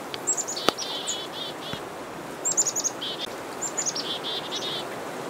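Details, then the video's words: Black-capped chickadees mobbing a northern pygmy-owl: several rapid chick-a-dee series, each a few high thin opening notes followed by runs of harsh, buzzy dee notes. A sharp knock sounds early on, over a steady background hiss. "Black-capped chickadees mobbing a northern pygmy-owl"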